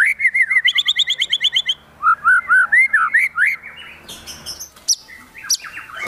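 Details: Spirited white-rumped shama in high excitement: a rapid string of repeated chirped notes, then loud looping whistled phrases at a lower pitch, followed by softer varied twitters and sharp high notes.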